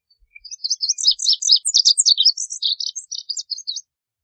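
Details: Lively Lazuli bunting song of high, sweet chirps and quick slurs, varied notes tumbling rapidly, some doubled, lasting around three and a half seconds in a quiet setting.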